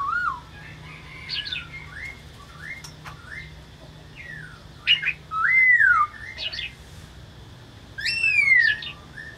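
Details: Loud, varied laughingthrush song: rich whistled slurs rising and falling, some phrases long and swooping, others quick and clipped, delivered in bursts with short pauses, plus a low steady hum underneath.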